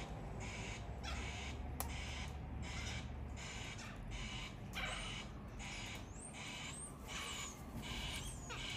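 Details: Wild sulphur-crested cockatoos on a daily morning feeding visit in Australia give harsh, raspy screeches roughly every three-quarters of a second over a low rumble, with a few thin whistles from other birds near the end.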